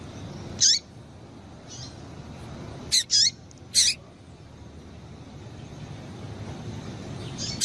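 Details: A female double-collared seedeater's 'tui tui' call, meant to excite the male: isolated high, clipped chips with short descending slurs, one early, then a tight cluster of three, and a last note at the end; faint low hum underneath.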